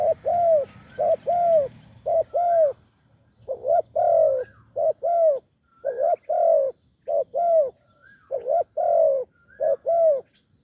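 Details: Wild spotted dove, deep-voiced, cooing off-cue while being lured to a decoy on a branch. A long, fairly continuous series of short and longer falling coos, rapid and slightly irregular. Low hum fades early.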